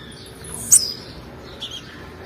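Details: Female blue-black grassquit call used to stimulate males: one loud, very high, quick chirp with a short downward slide, then faint hiss.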